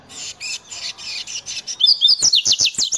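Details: Hybrid songbird stirred up by the sight of a loose female, uttering a series of buzzy, rattling chirps that break into fast, sharp, high whistled notes repeated several times per second.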